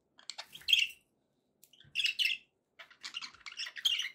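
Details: Happy budgerigars chattering: three dense bursts of raspy, buzzy warbling and chirps, each lasting about a second, separated by short gaps.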